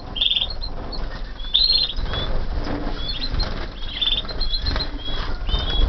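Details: Canaries hatched in 2014, flying in an aviary, produce scattered high trilled chirps and thin whistled notes, several birds overlapping, with flutter of wings and low background noise.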